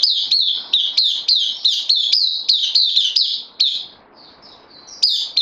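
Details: Caged Puteh Dagger bulbul, a newcomer on loan, recorded 12 September 2020, singing a fast run of sharp, whistled notes around the same high pitch, repeated about three per second, a brief pause, then soft higher notes and a resumed burst.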